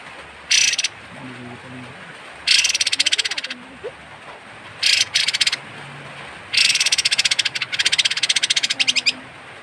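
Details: Sooty-headed bulbul (kapas tembak) giving its odd harsh call, suited to tutoring songbirds: four rough, broadband rattling bursts, each made of rapid clicks and lasting up to two seconds, separated by quiet pauses.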